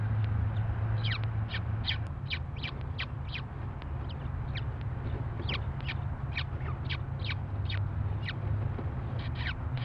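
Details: Three peregrine falcon chicks give harsh, rapid begging calls over a steady low rumble as their mother feeds them, Red Deer, 8 June 2012.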